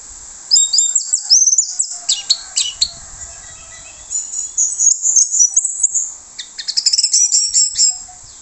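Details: Loud orange-headed thrush lure song, used to bring other thrushes close. Three bursts of rapid, high, mixed chattering and twittering notes, each about two seconds long, are separated by brief pauses.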